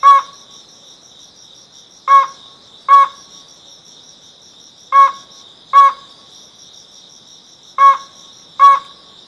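Ruddy-breasted crake giving loud, hard, tonal notes in pairs, each pair about three seconds apart, over a steady high buzzing of insects.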